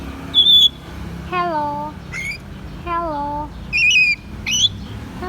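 A grey parrot says a falling, speech-like "hello" twice, between sharp, high whistled squawks, in a quiet indoor room.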